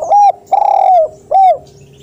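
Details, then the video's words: Loud, sharp spotted dove call, used as a model to prompt lazy doves to call: three clear, arched coos, the middle one longest and slightly wavering, the last after a short pause, over a faint low hum. "Derkuku gacor suara keras tajam dan ngalas"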